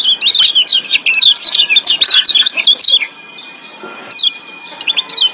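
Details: Excited wild Lombok white-eye in breeding condition: a dense three-second run of fast, high, twisting chirps, then silence and a few scattered thin notes near the end.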